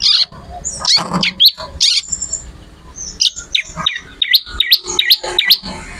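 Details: Bar-winged prinia singing lively: opening with buzzy, rasping notes, then a rapid run of clean rising upswept chirps, about two and a half each second, with little background noise.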